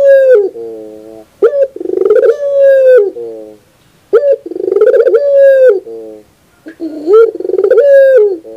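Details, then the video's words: Barbary dove, known locally as burung puter, heard on a training recording for birds: loud, deep, rolling coos, each phrase opening with a short rising note then a long steady hum, repeated about every two and a half seconds. "Masteran terbaik Burung Puter 2021"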